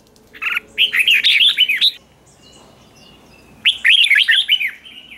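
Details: Caged red-whiskered bulbul singing in morning practice, 'ché' type: two energetic runs of clear, swooping whistled notes about two seconds apart, with quiet background between them.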